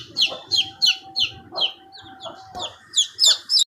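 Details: Chicken chicks, fifteen days old, utter loud, clear descending peeps in quick succession, about three per second, while a faint steady mid-pitched hum runs underneath.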